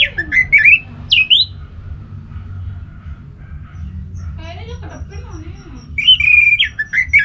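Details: Orange-headed thrush, whose song serves to set other thrushes singing, giving short scratchy rising and falling whistled notes, a quiet stretch with soft chattering and low hum, then a further run of varied whistles.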